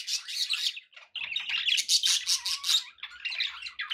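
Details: Pet budgerigars give quick, repeated chirps and squawks, with a whistled, slightly rising note near the middle, after a brief silence at one second.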